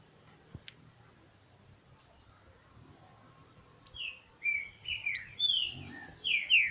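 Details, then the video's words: Green-winged saltator (trinca-ferro) recorded on 28 August in the late morning, around 11:48: after quiet noisy seconds, a run of clear whistled notes slurring up and down in quick succession, growing louder toward the end. "Trinca Licutil boi"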